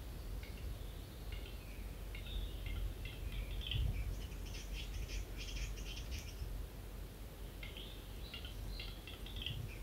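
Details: At dawn in Finland, a lekking capercaillie cock courts females from a tree branch; bouts of dry, rapid clicking and scraping come in irregular clusters, with a pause around the middle and a steady low rumble beneath.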